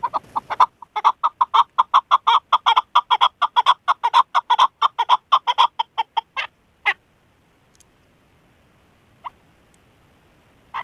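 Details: Female chukar partridge used as a hunting decoy, calling a long, steady stream of hoarse chuk notes for nearly seven seconds, briefly pausing once, followed by quiet and two isolated notes near the end.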